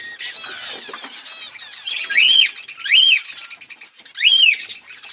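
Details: Colour budgerigars with chicks growing: three loud arched whistled calls rising then falling, about one second apart, after scratchy chatter at the start.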